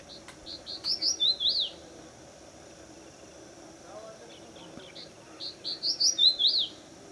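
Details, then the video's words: Breeding-season song of a male Crested Bunting on a fort wall at Pune, India: two phrases about four seconds apart, each several quick high chirps building to a bright swooping note, with a quiet low call between and constant insect drone behind. "Song of the Crested Bunting Male."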